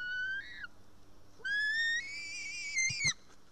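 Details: White-tailed eagle chick at a nest in Estonia, 4 July 2018 around 1:10 pm, screaming as a parent arrives with fish: a few sparse, rising whistled screams with bright harmonics, separated by quiet gaps, then faint rustling.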